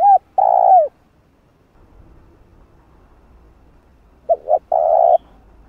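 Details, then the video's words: Spotted dove giving its calling coo, a recording meant to stir and train decoy birds: one phrase of low hollow hoots cut off at the start, then a break, then a brief hoot, two quick notes and a long drawn coo. "Cu gáy GÁY GỌI"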